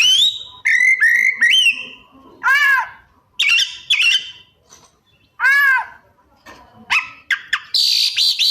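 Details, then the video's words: Oriental magpie-robin (kacer) singing copied phrases: quick whistled upslurs, repeated loud nasal arched calls, chattering notes and a closing high buzzy rasp, with short silences between bursts. "Suara Kacer Gacor Rajin Bongkar Isian"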